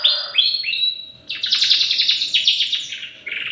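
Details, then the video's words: Young canary, three months old, learning to sing: a few rising whistled notes open, then a dense run of rapid high chirps and trills with brief pauses between phrases. "Cenary usia 3 bulan belajar nyayi"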